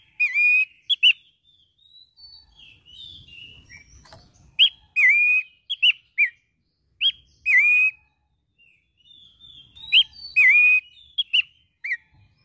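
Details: Abbott's babbler (pelanduk semak) in vigorous song, a unique bird evoking hillside scrub: repeated loud whistled phrases, each a drawn-out note slurring down then levelling, mixed with short higher twittering notes, faint low rumble between.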